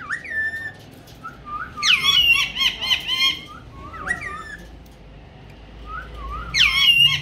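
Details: Talking pet ringneck parrot speaking Urdu and Hindi; low wavering syllables like mimicked words alternate with loud harsh squawk bursts, repeated in bouts across the recording.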